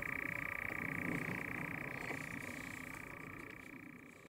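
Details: A European nightjar courting at dusk churrs in a steady, unbroken mechanical trill, a dry reeling sound with little change in pitch; courting birds also clap their wings loudly in flight.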